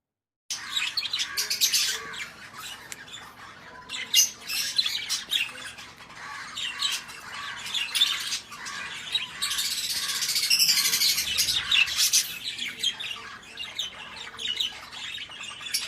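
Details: A large flock of budgerigars at a 200-pair breeding farm setup chatters nonstop in busy, overlapping chirps and squawks.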